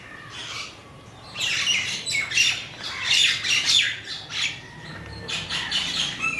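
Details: A crow gives loud, rasping calls repeated irregularly, roughly one or two a second in bursts, with a quieter stretch before and after and faint chirping from other birds.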